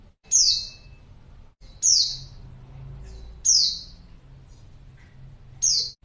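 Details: Lure calls of a female white-eye used to bring in males: four high, thin, descending notes spaced about one and a half seconds apart, each bright and brief.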